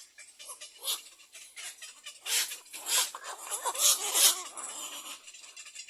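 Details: Little egret chicks in a nest begging their mother to feed them; rapid, raspy chattering bursts rising and falling in loudness, irregular and clustered, with several calls overlapping.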